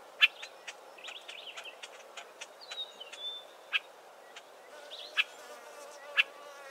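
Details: Southern Tchagras in a thick Acacia clump produce loud dry clicks repeated about every one to one and a half seconds, interspersed with rasping chatter and a brief level whistle, with low background hiss.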